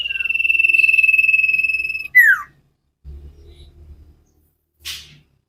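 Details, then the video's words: Common iora sirtu song recorded to train cage birds: a two-second pulsed whistled trill drops into a sharp descending slur, followed by soft low rustling and a brief noisy burst. "Burung cipow sirtu masteran Gacorrr banget"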